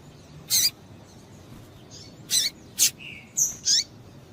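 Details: Female double-collared seedeater calling to rouse the male into singing: very high, thin, sharp chirps, single and spaced about half a second to a second apart. One lower short whistle comes between them, over a faint hiss.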